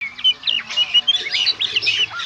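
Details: Oriental magpie-robin singing in the lively gacor konslet style, a recording played to encourage other magpie-robins to sing. Rapid varied whistled notes, upslurs and short trills crowd together, some notes rising sharply and others falling.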